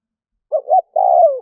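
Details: Vietnamese decoy spotted dove calling to draw wild doves. A single phrase of two quick, low coos, then one long, steady coo that falls slightly at the end. No other sounds.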